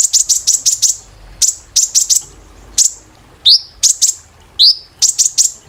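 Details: Kolibri ninja sunbird, training song for caged birds: clusters of sharp, very high chip notes in quick bursts, with two rising whistled slurs, gaps between phrases, quiet background.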